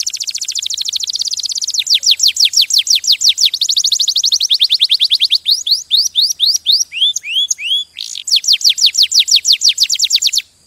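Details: Canary song: fast rapid trills of high notes, shifting into rhythmic repeated downslurred whistles, then curving upslurred notes and a final buzzy trill, loud and continuous.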